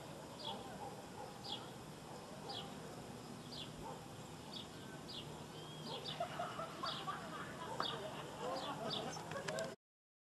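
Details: Southern martin, Córdoba, December 2011: a regular series of thin, descending chirps spaced about half a second apart, followed by busier chattering notes near the end, with continuous background noise.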